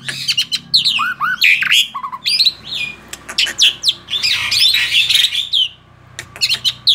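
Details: Male Black-winged starling in energetic song, tame, mixing sweeping whistles, harsh rasping notes and rapid chatter into long, dense phrases with one short quiet gap.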